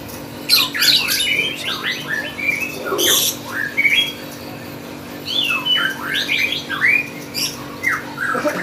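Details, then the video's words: Lovebird at a contest giving busy, shrill song: quick strings of squeaky upward chirps and sharp squawks in uneven bursts, with a brief pause and a lower note near the middle, steady hum behind. "Burung love bird gacor kontes"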